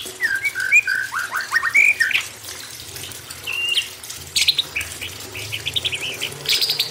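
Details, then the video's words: Imported white-rumped shama singing over running water, a training recording for young wild-caught birds: varied clear whistled phrases, some rising and slurred, then bursts of short repeated higher notes, with a steady splashing water hiss throughout. "MURAI BATU IMPORT ~ MASTERAN TERAPI MURAI BATU AGAR LEBIH GACOR + Suara Air UNTUK TROTOL MUDA HUTAN"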